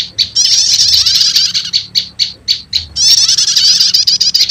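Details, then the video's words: Prinia lure recording combining prenjak lumut and prenjak setater, used to quickly call in wild prenjak lumut: sharp high chirps in short bursts alternate with dense buzzy trills, the chirps spaced irregularly between the longer rattling runs. "Suara Pikat Burung PRENJAK LUMUT Kombinasi Prenjak Setater"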